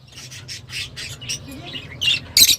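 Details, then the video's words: Lovebird chatter, described as attractive but rather sharp: a run of quick raspy chirps, ending in two loud shrill squeaks, over a faint low hum. "تغريدروز/صوت روز /Love Bird Sound"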